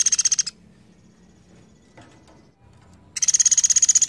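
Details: Java sparrow trilling: the tail of one high, rapid clicking trill, a pause of over two seconds with faint knocks, then another fast, evenly pulsed bright trill begins.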